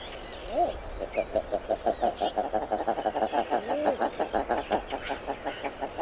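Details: Common eider: a steady run of low, guttural clucking notes, about three per second, with a few soft rising-then-falling cooing notes mixed in, as from several birds calling together.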